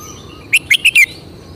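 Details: Red-whiskered bulbul singing a short phrase of four clear, liquid whistled notes in under a second. The final note is drawn out and slides downward. The background is otherwise quiet.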